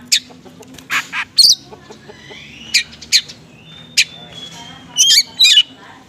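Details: Oriental magpie-robin lure song in the konslet style, mixed with small-bird material and meant to provoke magpie-robins into responding. Sparse sharp high chirps and short whistles come at irregular intervals over a low steady hum.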